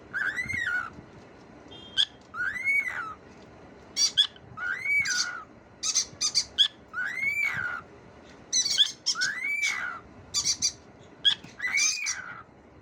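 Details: Talking cockatiel giving a run of short arched notes, each rising then falling, about every two seconds, with harsh buzzy chatter bursts high above and between them; quiet background.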